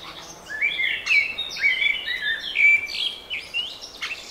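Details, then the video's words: Birds in spring sing a continuous, lively warble of slurred whistled notes, sliding up and down, with sharp higher chips mixed in throughout. "Wiosenny śpiew ptaków"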